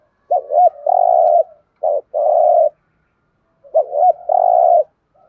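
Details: Spotted dove giving the cooing style called thúc gù: three phrases of short hooked low notes, each run into a long, steady, mellow coo, with a pause before the last; nothing else heard.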